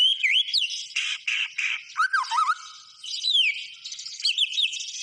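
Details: A white-rumped shama sings vigorously. Rapid harsh, scratchy bursts mix with short whistled slurs and rising and falling warbles, then a stretch of chattering twitters ends the phrase.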